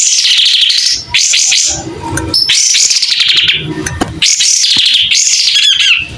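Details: White-rumped shama singing actively while spreading its tail, with a clear voice: loud, rich whistled phrases that rise and fall, broken by short pauses, over a faint low hum.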